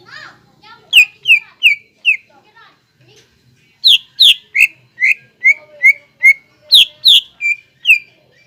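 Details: Greater green leafbird in lure song meant to raise the singing mood of young cucak ijo. Two series of sharp, descending whistles are separated by a short quiet gap, with little background noise.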